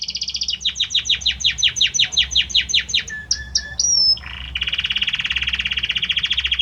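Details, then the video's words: Belgian canary, male, singing much to his female; fast trill, a run of sharp descending notes, whistled slides, then a long rapid buzzy trill. "Canta muito este Canário Belga para sua Fêmea - Canary Singing"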